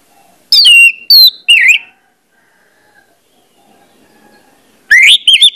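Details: Orange-headed thrush used as a lure to trigger singing: three loud, downslurred whistled notes in quick succession, a silent gap of about three seconds, then a fresh burst of rising whistles.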